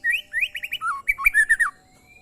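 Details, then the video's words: Oriental magpie-robin (murai), short training recording: a quick run of clear whistled notes, some rising and some falling, delivered in a burst of about a dozen phrases over under two seconds, then quiet. "suara burung murai"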